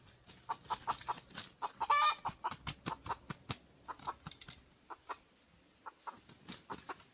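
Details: Wild red junglefowl drawn toward a decoy: rapid, regular clucking pulses broken by a short harsh squawk early on, a quiet gap, then clucks resuming more loosely.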